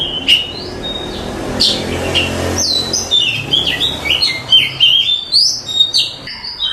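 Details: Oriental magpie-robin singing masteran style: a short opening chirp, a soft rustling pause, then a quickening string of clear whistled notes that jump up and down in pitch.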